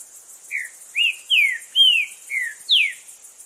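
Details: Green-winged saltator in the wild, strong song of six clear whistles falling in pitch, the fourth long and sweeping, about two notes a second in a quiet background.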